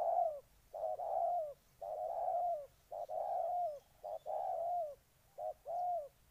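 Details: Ninh Thuận spotted dove delivering drawn-out, soft, slightly descending coos in quick succession, separated by short pauses, with a quiet background.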